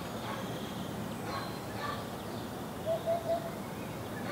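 Three soft, low, hollow hoots, evenly spaced and close together, from a Eurasian hoopoe over a steady rushing background hiss.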